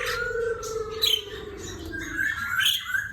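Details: Black-throated laughingthrush singing actively: a long sliding whistle, then short bright chirped notes and a few higher squeaks, with a steady low tone underneath.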